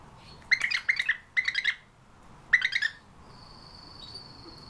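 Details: European bee-eater: four short, rolling trilled calls in quick succession, followed by a thin, steady high whistle from another bird.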